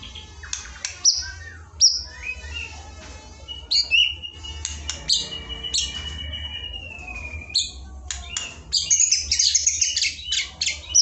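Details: Murai batu training song meant to coax a shama that rarely sings: varied phrases of sharp high chirps, a long level whistled note around the middle, then dense scratchy high trills toward the end, over faint low hum.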